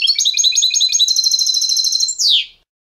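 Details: Competition-style clean song of a European goldfinch, played to teach young birds: a rapid series of bright, evenly repeated high notes building into a sustained trill, closed by a sharp downward-sweeping note, then silence.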